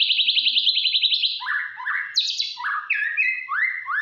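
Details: White-rumped shama song used as a lure to provoke other shamas: a fast run of repeated bright whistled notes, then varied rising and falling whistled phrases with sharp high slurs.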